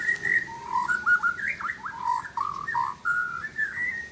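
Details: Asian brown flycatcher singing a varied run of clear whistled phrases, some level and some rising or falling, linked almost without pause against a low background hiss.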